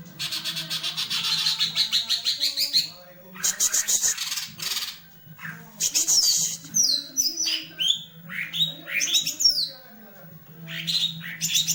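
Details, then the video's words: Green leafbird in tail-fanning display pours out rattling bursts of dense high notes, then twisting, slurred whistles that dip and climb, separated by short pauses, over a faint low hum. "CUCAK IJO MAIN EKOR NGIPAS"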